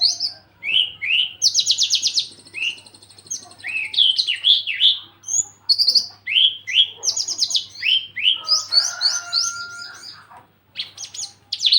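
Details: Javan bush lark in breeding condition, wanting to mate, singing a varied, fast song of high buzzy trills, slurred whistles and short chirps in quick succession, with one brief lower sustained tone midway.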